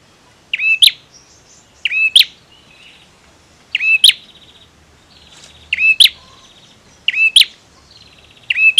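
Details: Male bar-winged prinia singing actively: six repeated phrases, each a short rising whistled note ending in a sharp high click, with faint buzzy trills between, about one phrase every 1.5 seconds.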